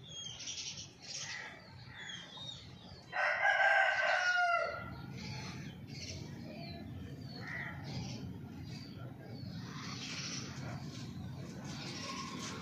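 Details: Domestic chicken lets out a single loud, rough, prolonged crow-like cry of about a second and a half, set against scattered twittering of small birds and steady low background hum.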